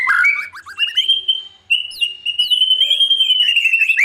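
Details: White-rumped shama singing in the morning as training for a young competition bird: quick rising notes leading into a long sustained clear whistle held steady for over two seconds, with faint high twitters above.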